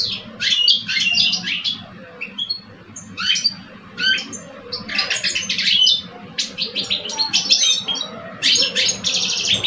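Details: Singing duel between two caged male goldfinches in Algeria, one older and one two years old. Choppy phrases of sharp twitters, metallic buzzes and liquid notes come in short clusters separated by brief pauses, over a steady low hum.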